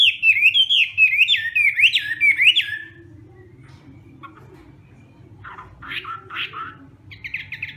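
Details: Hwamei morning voice-training song in the fighting style: a fast, regular chain of zigzag whistled notes for three seconds, then a pause and scattered softer chattering notes.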